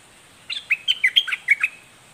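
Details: Red-whiskered bulbul of the southern Thai dok taeng type, singing a fierce, vigorous doubled 'boen' style song: about eight quick, bright whistled notes, slurred up and down, in just over a second against quiet background.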